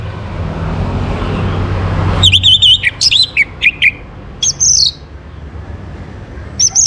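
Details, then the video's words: Orange-headed thrush from Singaraja, North Bali, morning song played to bring kept birds into breeding condition; after two seconds of low hum, quick whistled slurs and high sharp notes burst out in short separated phrases. "Naikan Birahi ANIS MERAH pancingan PAGI HARI"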